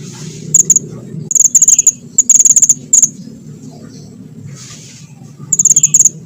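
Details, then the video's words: Small minivet in full, lively rolling song for luring birds: clusters of four to six rapid, piercing high notes, several bursts in a few seconds, with a constant low background drone. "burung mantenan kecil gacor nembak ngerol buat pancingan dan mikat"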